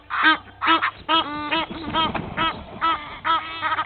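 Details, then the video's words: Egyptian geese from two families fighting at a waterhole on Djuma Game Reserve, Sabi Sand, South Africa: rapid series of harsh, nasal honks, about two per second, loud and rhythmic, with faint low background hum. "Two Egyptian Goose families fighting"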